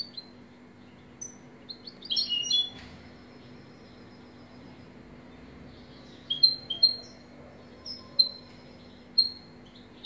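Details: European goldfinch singing in short bursts: a quick cluster of tinkling twitters early on, then after a pause, spaced, clear high chirps and brief trilled notes every second or so over a quiet low hum.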